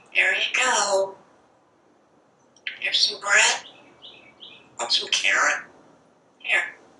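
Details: Pet parrot on a screened back porch, talking as it watches squirrels and birds; three bursts of speech-like words with pauses between them, in a quiet room.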